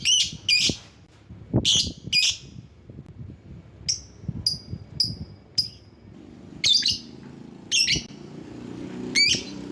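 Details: Lovebird calling, used to lure other lovebirds; loud shrill harsh chirps in short bursts, some single and sharp, others doubled or rasping, irregularly spaced, with low thumps and knocks underneath.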